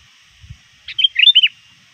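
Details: Tame sooty-headed bulbul used as a lure bird, calling to rivals near dusk. A brief burst of four or five bright, bubbly whistled notes, rising and falling, with a faint steady high hiss and a low thump before.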